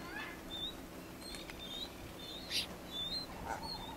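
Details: Genovesa ground finch on Genovesa, Galápagos, Ecuador, in May 2012: thin, high whistled notes, short and level or slightly falling, spaced irregularly, with a brief broadband rasp near the end and soft background hiss.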